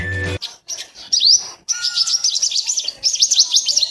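Purple Sunbird giving thin, high, rapid twittering and sharp zipping notes in quick bursts, after a brief low hum at the start.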